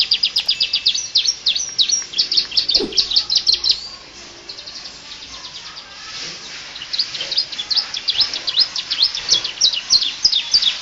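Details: Canary singing a full-variety song meant as a tutor recording for other birds: fast, high chirping trills and rapid descending notes in dense bursts, broken by a short pause near the middle before the rapid trilling resumes.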